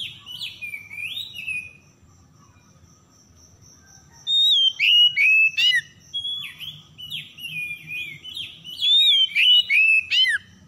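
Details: Kacer (oriental magpie-robin) lure song for birds stressed into silence: a few warbled whistles, a quiet gap with only a faint high tone and low hum, then a long fast sequence of sharp chips and sliding whistled notes.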